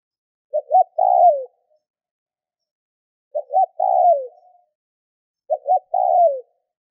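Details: Spotted dove call used to stimulate other doves to call: three cooing phrases about two and a half seconds apart, each two short rising notes then a long, slightly rough coo sliding downward; no other sounds.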